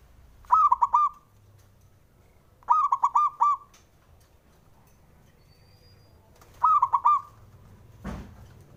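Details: Male zebra dove of local stock singing to goad rivals: three short bursts of three to four clipped, ringing coos spaced about three seconds apart, ending with a sharp click.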